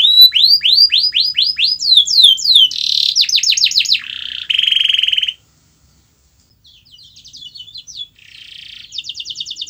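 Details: Canary song meant to stimulate a silent canary: a rapid series of rising chirps, buzzy rolls and sweeping whistles, then a pause of about a second before softer trills resume.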